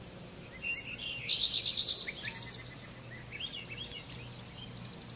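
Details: Little birds feeding at a birdhouse give rapid high-pitched twitters and sharp chirps over about three seconds, with a short trill in a row of quick notes. Softer calls trail off over a faint low hum.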